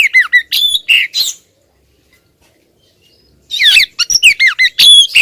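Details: Female oriental magpie-robin calling persistently at the male: two bursts of harsh, squawky notes mixed with sharp downslurred chirps, split by a gap of about two seconds of silence.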